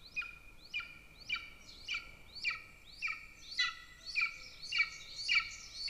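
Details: At an Estonian golden eagle nest beside a military training area, May 2024: a clear run of regular, sharp yelping notes, each a high sliding onset into a steady ringing tone, roughly every half second.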